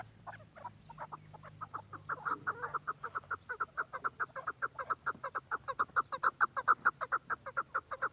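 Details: Chukar partridge from Quetta: scattered clucks build into a steady, accelerating series of sharp chuck notes, roughly two per second and growing louder toward the end.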